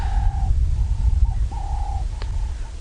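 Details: Two Cape turtle doves calling to one another at sunrise on a clear winter morning, 28 June 2017, in Djuma game reserve, Sabi Sand, South Africa: smooth, low, hollow coos about half a second each, steady rhythm, over heavy low engine or wind rumble.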